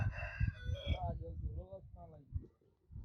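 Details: Rooster crowing: one drawn-out cock-a-doodle-doo that starts high and harsh, then slides lower and fades after about two and a half seconds, over heavy low rumbling background noise.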